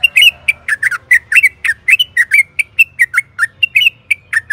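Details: Sooty-headed bulbul lure song for cage-bird training, a lively string of clear whistled and slurred notes, varied and repeated several times per second, steady over a faint background hum.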